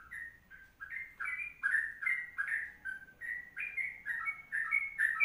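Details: Sooty-headed bulbul singing vigorously in long kongslet style for tutoring: clear whistled notes slurring upward and downward in quick succession, getting louder and richer, with faint sharp high ticks.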